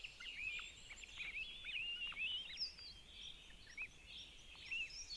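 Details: Two Northern goshawk chicks at a nest in Zemgale, Latvia, gobbling food as their mother brings it and feeds them. Their high, wavering, squealing whistles overlap almost continuously, some rising and others dropping.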